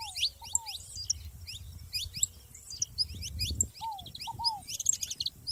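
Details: Several saffron finches in the wild, giving dense high chirps and short curved notes in loose bursts, while a lower paired down-slurred whistle repeats now and then against a steady low rumble.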